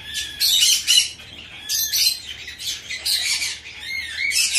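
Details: Young hand-tame Bourke's parrot in Fukuoka, Japan, recorded 10 September 2024, gives loud, raspy squawking bursts roughly once a second, irregular in spacing, with a few thin high squeaks between them.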